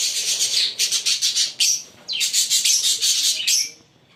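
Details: A green pair of Fischer's lovebirds chirping and singing: dense bursts of shrill, high chirps in quick trains, a brief pause near the middle, then another run of harsh rapid notes that fades out at the end.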